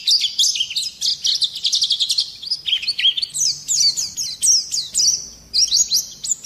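An oriental white-eye sings a fast, continuous run of high, thin twittering and trilled notes with short sharp bursts, scarcely pausing. No other sounds stand out.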